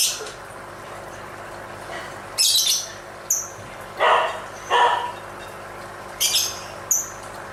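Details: Lovebird song while dancing: irregular harsh squawks with a strong lower band alternating with short high whistled chirps, roughly every second, against a faint steady hiss.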